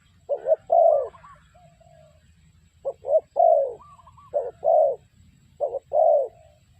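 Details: Used as a lure for trapping, a spotted dove delivers four low cooing phrases, short notes leading into a drawn-out croo, while thin upslurred whistles of another bird fill the gaps.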